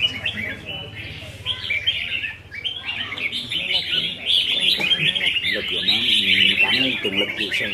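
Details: Red-whiskered bulbuls in cages sing competitively during a practice contest on 15 May 2021, their high, rapid, twittering phrases growing fuller and louder. A man talks steadily underneath.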